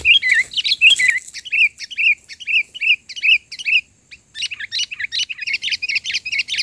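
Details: Lured sooty-headed bulbul (kutilang) in a 'gacor' mental-duel contest: loud, rapid chirpy phrases of clipped whistled notes, about eighty per minute, with a brief pause near the middle, then a denser burst of sharp chirps, a soft wing flutter at the start.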